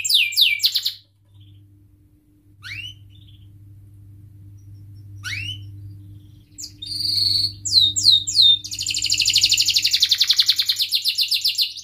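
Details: Canary, singing to intimidate rivals and tutor young canaries, starts with a short trill, gives a few isolated whistled notes separated by pauses, then builds into a rapid swooping series and a long, dense buzzy roll, over a steady low hum.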